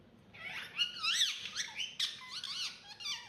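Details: Indoor talking ringneck parrot giving a dense burst of high, squeaky arched notes that swoop up and down, closely packed over three seconds inside a small room.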